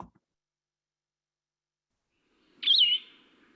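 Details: Blue-headed Vireo song, a spring migrant in southern Michigan that nests in the upper Lower Peninsula and Upper Peninsula: after a long silence, one sweet, slurred whistled phrase, rising then dipping, unhurried, with pauses between phrases, over a faint low murmur.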